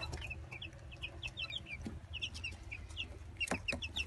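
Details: Gold Brahma and village chicks, twenty days old, peeping steadily: short bright downward-slurred peeps repeated rapidly by several birds, with a low hum and occasional knocks underneath.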